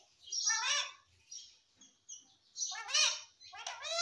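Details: Young pet parrot mimicking human speech and saying "Mummy". Slurred, voice-like syllables rise and fall in pitch, with a louder cluster of rapid harmonic notes near the end.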